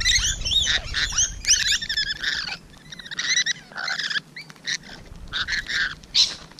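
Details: Morning of 12 June 2017, rainbow lorikeets close by: bursts of shrill, squealing screeches and chatter, separated by short pauses, about two calls a second.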